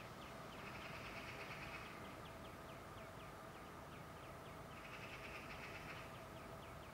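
A European greenfinch sings twittering trills, with two buzzy bursts and rapid chirps, over a steady background rumble like distant traffic.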